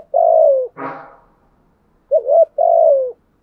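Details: Spotted dove used as a decoy to lure wild birds, giving a long steady coo, then a brief rough noisy burst, then a full phrase: a wavering short note and a drawn-out, gently falling coo.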